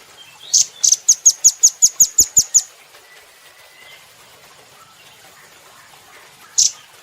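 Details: Velvet-fronted nuthatch on a cage-bird training recording, giving a quick run of around eleven high, sharp chipping notes lasting two seconds, then quiet before one more chip.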